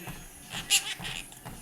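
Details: A pet Quaker parrot, perched on a treadmill while its owner walks and talks to it, utters a few quick, high, raspy syllables that sound like imitated human words.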